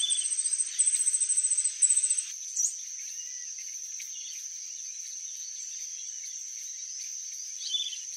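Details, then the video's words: Glittering-bellied Emerald singing: a rapid series of very high, thin, ticking notes in three quick bursts over the first two seconds. A steady high-pitched whine runs throughout. "GLITTERING-BELLIED EMERALD singing"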